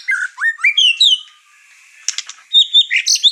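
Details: Agitated white-rumped shama in a household with other birds, delivering rising slurred whistles and chattering notes, then a short gap, a harsh burst, and fast bright whistled phrases.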